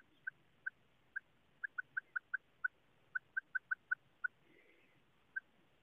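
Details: Female quail calling: short, sharp mid-pitched notes, about seventeen in six seconds, spaced irregularly, sometimes in quick runs of three or four, over quiet background hiss.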